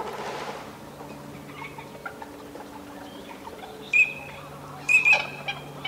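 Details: Eurasian teal displaying in courtship at a wetland in Aiguamolls de l'Empordà Natural Park, Spain, on 25 December 2015; two sharp, high whistled notes about a second apart stand out over a faint, low background murmur.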